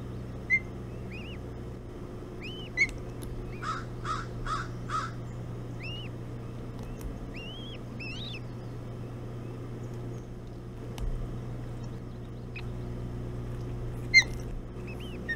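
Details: Ospreys at the Hog Island nest on 11 June 2017 at 05:09, during a breakfast feed of bullhead. Short upslurred whistled notes recur through the clip, with a quick run of four harsh, cawing bursts near the start and steady low hum underneath.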